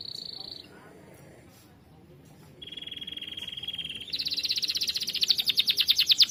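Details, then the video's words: Canary singing in full voice for tutoring songbirds: a flat, buzzy rolling trill, a pause, a longer lower roll, then a loud rapid pulsing trill that grows stronger toward the end. "KENARI GACOR"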